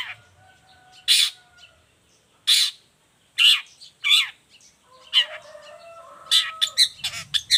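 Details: Long-tailed shrike singing, meant as a model and lure for other shrikes. Spaced harsh rasping notes and curling slurs are followed by a quick series of sharp chips, over faint thin whistled tones in the background.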